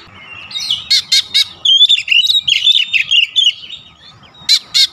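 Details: Oriental magpie-robin: harsh grating notes framing a phrase of slurred, rising and falling whistles, over a low murmur of background noise.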